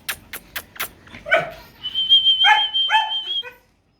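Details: Pet cockatoo talking and dancing, giving four quick sharp clicks, then a raspy voiced phrase and a long, strained, high squawk-like utterance that wavers before cutting off; it mimics phrases like "me too" and "assalamu alaikum".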